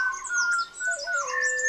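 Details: Malabar whistling thrush (Myophonus horsfieldii), the 'whistling schoolboy', sings clear, human-like whistles, held then sliding lower, in the Western Ghats, India. Other birds give thin high chirps. It sings in the early morning before sunrise in the hot dry season.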